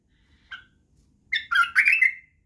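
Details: Singing white-eared bulbul (badrawi bulbul), used to train bulbul chicks in song and barwaz: one short isolated note, then after a gap a tumbling cluster of rich warbled phrases ending in a slurred whistle.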